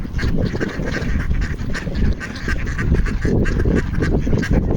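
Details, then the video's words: Ducks wanting food on a frozen Toronto pond: a dense chorus of loud, overlapping nasal quacks in fast repeated bursts, over a strong low-pitched rumble. "Ducks are making noise wanting food to eat on the frozen pond"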